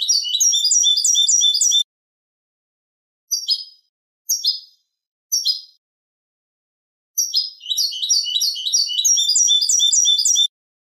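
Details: Eurasian goldfinch song used for tutoring young goldfinches and hybrids: rapid, liquid twittering phrases of high tinkling notes, broken by short pauses and a few isolated chirps, with no other sounds.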